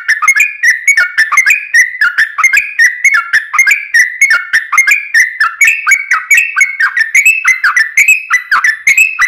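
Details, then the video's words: Continuous long-running fighting song of a yellow-vented bulbul, used as a lure to set other bulbuls singing; an unbroken flow of gurgling, slurred notes with crisp clicking accents throughout. "trucukan gacor TARUNG ROPEL PANJANG buat pancingan trucukan agar bunyi JADIKAN trucuk gacor NYAUT"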